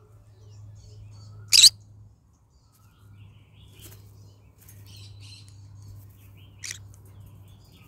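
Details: A pet yellow-sided green-cheeked conure in the morning lets out one sharp rasping squawk, then quiet soft chatter and a second shorter squawk, against a low background hum.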